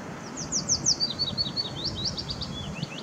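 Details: A willow warbler singing along the Zeeburgerpad on 2 May 2016 gives a sweet, liquid phrase of high notes that slides steadily down the scale over about three seconds, over a low background rumble.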